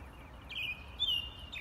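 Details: American robin giving two clear whistled phrases, the second brighter and sliding downward, against faint low rumble.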